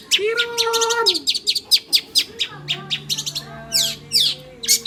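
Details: Oriental magpie-robin in full, non-stop song: a rich, varied run of sweeping whistles, sharp downslurred chirps and drawn-out steady notes packed densely together, with faint low hum beneath.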